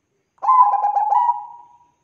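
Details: Zebra dove of the Bangkok perkutut type giving a short lure song to prompt birds to sing: a quick rolling series of soft, bubbling coos that fades into a long, level trailing note, with nothing else audible.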